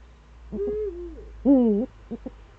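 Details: Eifel eagle-owl recorded early on 26 September 2013. A long, even, slightly descending tone is followed by a loud, buzzy, harmonic call with a curved pitch. A few brief soft pulses come after it.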